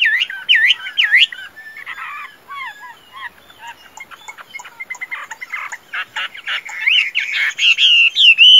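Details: Caged Chinese hwamei, tame and a strong fighting singer, opening with looping whistled notes, then softer varied chatter and clicks, ending in loud repeated whistled phrases.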